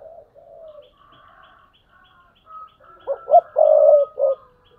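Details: Spotted dove used as a decoy bird, cooing: a soft low note, then after a pause a short run of hollow coos, two quick notes and a longer drawn-out one, with a steady faint high tone behind.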